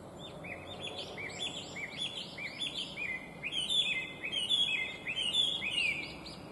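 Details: Chinese hwamei giving a bright, beautiful, complex song: a fast run of varied, repeated upslurred and looping whistled phrases, rich and melodious, with steady faint background noise.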